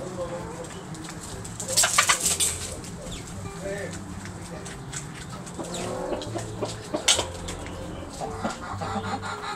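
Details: Roosters and hens in a backyard, pecking and scratching while making noise: low clucks throughout, with a burst of harsher, louder squawking around two seconds and another sharp call later.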